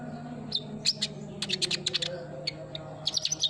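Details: Sunbird lure song: quick clusters of bright high chirps and tweets, fast and uneven, over a faint low hum.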